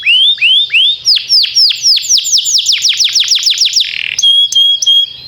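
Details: Canary song used for training canaries, timbrado style: tours of repeated rising-falling whistled notes about four per second, a fast sweeping trill, then a sustained steady whistle with short chips.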